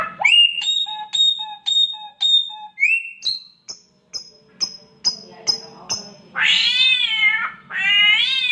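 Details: Samyong mimicking sounds, including a cat in heat: a quick string of clipped whistled notes and sharp ticks, then two long, rough, meow-like yowls to finish.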